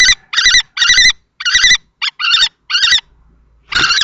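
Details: Two male common kestrels, adult and juvenile-plumaged, battle over a nest box in Théding, France, 20 March 2024. Short, harsh screeching notes come in an irregular string, pause briefly with a faint low hum, then resume.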